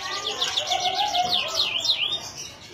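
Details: Singing canary in Indonesia delivering a fast run of repeated V-shaped whistled sweeps, rising and falling rapidly, ending in two longer downward slides.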